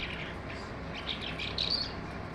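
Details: Skylark song in short form, a few bright, quick high warbled notes that grow louder toward the end, over a constant low background hum.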